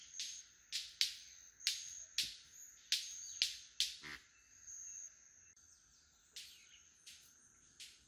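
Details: Several male White-collared Manakins displaying at a lek at a lodge in Costa Rica, giving sharp cracking wing snaps repeated roughly every half second, then a pause and a few more snaps, over a steady high insect whine.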